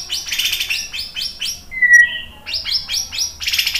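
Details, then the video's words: Lure recording of a white-rumped shama: fast series of buzzy, harsh chattering notes repeated several times a second, interrupted midway by one clear, level whistle. "suara MURAI BATU bikin cepat NYAUT jadi GACOR"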